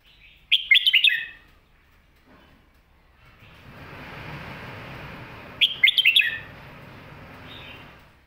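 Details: Red-whiskered bulbul in the popular 'Phat Kuay Tiew' master song style, repeating the same quick, jumpy whistled phrase twice about five seconds apart. A soft hiss fills the gap between them.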